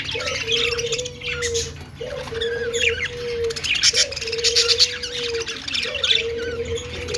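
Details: Budgerigar singing and dancing: a busy, high-pitched chatter of chirps and warbles runs throughout, while a steady low hooting tone repeats about every two seconds underneath.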